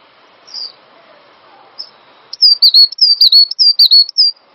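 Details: Cinereous tit singing on a master recording meant to prompt other songbirds to sing. After two faint high notes and a quiet pause, loud clear whistled two-note phrases begin, each a sharp downslurred note then a steady one, repeated rapidly about five times.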